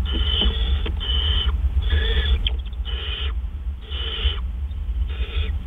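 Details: Pre-dawn food delivery by an owl on April 12, 2013, around 4 AM: about six drawn-out, noisy screeching hisses, each nearly half a second long, separated by short pauses, over a deep background hum.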